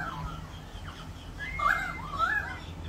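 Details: Australian magpies singing in an Australian backyard during rain: a few rich, fluting warbles that slide up and down, in two short bursts over steady rain hiss.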